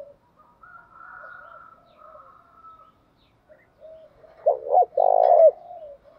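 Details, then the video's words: Spotted dove cooing used to stimulate training birds, male and female: soft, faint humming coos at first, then one strong phrase of two short notes and a long, rough, low coo. "thúc chim cu gay"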